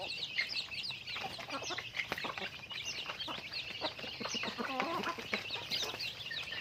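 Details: Chickens during daily activity: dense, overlapping chirps and rising squeaky peeps from many birds at once, broken by short percussive clucks throughout.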